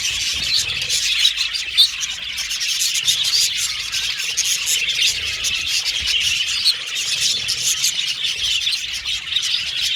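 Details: Budgerigars in an aviary colony give a dense, continuous wash of high chirps and squeaky warbles, many birds calling at once with no pause across the whole stretch.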